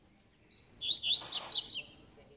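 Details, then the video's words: Double-collared seedeater giving the tui tui song style, known as a spirited bird: a clear rising whistle sliding into quick, high, repeated chirping notes over about a second and a half. "COLEIRO TUI TUI (REI NEGRO)"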